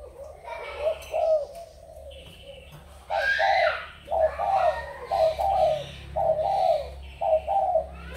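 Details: Spotted dove cooing: a repeated series of short, hoarse, mid-pitched coo notes in uneven bursts, about one per second, with faint voices and room noise behind.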